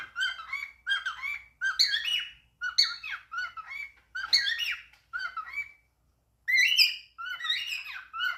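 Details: A talking cockatiel chatters in quick, raspy, speech-like phrases, about a dozen short bursts with wavering whistled tones, in a quiet room.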